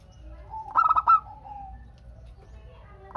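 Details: Actively singing local zebra dove, used to spur other doves into answering. One fast series of ringing, stuttered coo notes lasts about half a second, then trails into quieter background tones before the next phrase begins.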